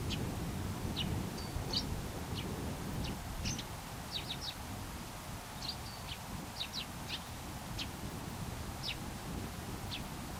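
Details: Eurasian tree sparrow near human dwellings chirping in short, sharp notes, irregular bursts and pairs roughly every half second, against steady low traffic-like rumble.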